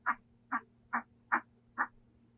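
A Northern white-faced owl gives five short, husky, croaking notes, evenly spaced about every half second, over a faint low hum.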